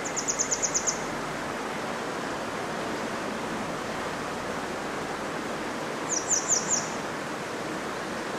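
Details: Perched on an overhead wire above the Koma River at Agano, a grey wagtail gives two rapid bursts of five or six high, sharp ticking notes, several seconds apart, against a steady rush of river water.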